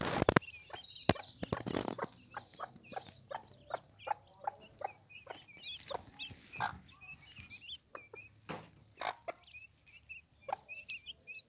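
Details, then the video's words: Mother hen protecting her chicks, giving a run of short repeated clucks with sharp clicks and knocks between them, while thin high peeping chick calls rise and fall over the top. "mother hen protecting chicks"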